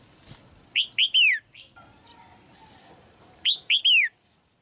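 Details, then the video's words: Caged female red-whiskered bulbul sings to stimulate a mature male, giving two phrases of three loud, rolling, downslurred whistles about two and a half seconds apart. A softer chirp comes between them. "นกหัวจุก birds นกตัวเมียขับขานอย่างไพเราะในกรงเพื่อกระตุ้นนกตัวผู้ที่โตเต็มที่"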